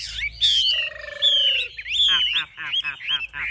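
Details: Caged Chinese hwamei, known as a fierce fighter, with wings up and tail spread, gives long drawn whistles sliding downward, then a rapid stuttering string of short notes.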